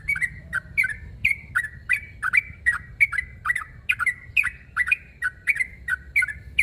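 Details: Yellow-vented bulbul calling a rival, which makes other bulbuls answer. Bright, bubbly chirped phrases with quick downward slurs repeat about twice a second, loud and clear, over a faint low rumble.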